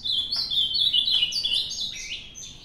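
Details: Ultramarine grosbeak, a bird from a recent singing contest, delivering a loud, clear warbled phrase of rapid whistled notes that slide up and down, with a quiet background.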